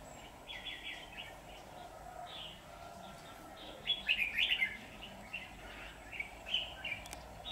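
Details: Red-whiskered bulbul singing as a decoy during trapping to provoke wild rivals; a quick string of chirps opens, then louder warbled phrases, followed by scattered short notes against constant low hum.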